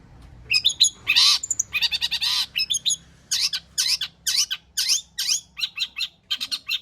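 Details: Long-tailed shrike pouring out a busy repertoire-rich song meant to provoke other shrikes to sing: loud scratchy chatter, brief nasal slurs and a run of sharp downward-sweeping notes in quick succession.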